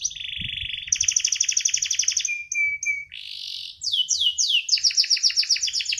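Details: Canary kept for its song: a steady buzzy trill, a rattling burst, short whistled pulses, a soft roll, then quick tumbling downslurred notes in rapid sequence.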